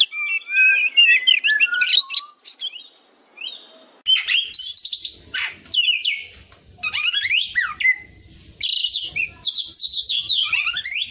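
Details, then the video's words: White-rumped shama in a long, rich song of rapid whistled phrases, twisting and sliding notes, chattering bursts and high sweeps, delivered in rushing sequences separated by short pauses. "MASTERAN KACER JADI FIGHTER"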